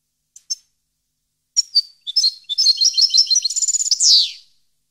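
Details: European goldfinch song recorded in 2015: a few scattered high chirps, then a rapid, tinkling twitter of high notes that speeds into a fast trill and ends in a loud, buzzy, descending note.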